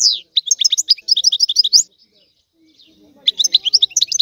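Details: European goldfinch delivering a burst of rapid, high, tinkling twitters, a pause of about a second, then another twittering phrase.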